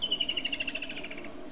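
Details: Woodland kingfisher (Halcyon senegalensis), a summer migrant to southern Africa, calls: a sharp high note, then a rapid trill of about fifteen pulses slowly falling in pitch and fading. Faint low background hum.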